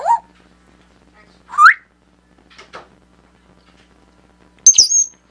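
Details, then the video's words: Pet African grey parrot producing assorted whistled sounds: a short upslurred note, a longer rising whistle, a few faint clicks, and a final loud high wavering whistle, with pauses between. "Sounds of an African Grey"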